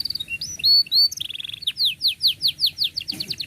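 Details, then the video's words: Canary in full song with close rolls, meant as a tutor for young birds learning to sing: bright slurred whistles, then a run of about a dozen quick descending chips repeated at a steady pace. "KENARI GACOR PANJANG cuit cuit Ngerol Rapat"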